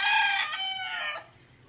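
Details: A hand-fed cockatiel chick gives a loud, harsh, nasal squawk, begging to be fed during hand-feeding.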